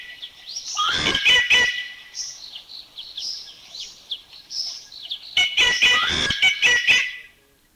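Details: Rufous Treepie in Thailand giving two bursts of rapid, harsh, chattering notes laced with metallic ringing tones. Quieter chirping and whistling from background birds lies between the bursts, and the clip ends almost silent.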